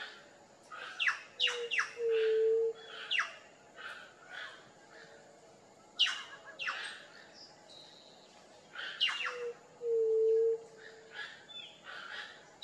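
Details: Wild white-tipped dove, or juriti-pupu, giving two low, hollow, even hoots several seconds apart amid frequent sharp, descending chirps from other birds.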